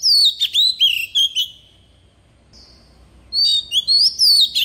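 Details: A decoy Oriental magpie-robin sings its wild-type song: a lively whistled phrase, a pause with one faint soft note, then another rich, rising whistled phrase.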